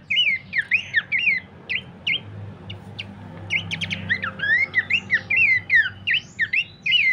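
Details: Abbott's babbler as a lure and master for training birds: loud looping whistled phrases, a short pause, then a fresh tumble of overlapping chirps and slurred notes, about two and a half per second.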